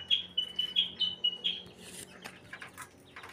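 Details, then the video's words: White-rumped shama in breeding condition repeating a high, clear note rapidly, about four times per second, followed by softer scratchy sounds. "Ini tanda burung murai batu lagi birahi"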